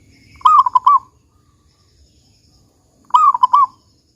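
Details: Soft repeated song of a local zebra dove with the large "kung" voice style. Two phrases roughly two and a half seconds apart, each an extended gliding coo then three short rounded notes, near-silent pauses.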